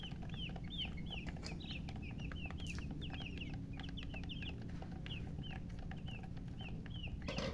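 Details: Newly hatched chicks chirp loudly in a regular series of clear, high, arched peeps, several per second at times, above a continuous low hum.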